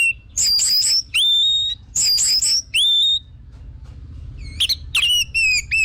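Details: Orange-headed thrush used as a lure bird, giving bursts of warbled high notes each followed by a clear long whistle, twice over, then scattered sharp chirps and slurred whistles.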